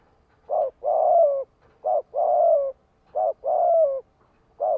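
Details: Spotted dove giving a calling coo in the thổ đồng voice style, used to lure other doves: low mellow coos alternating short and long notes, the long ones gently falling, repeated in a steady rhythm.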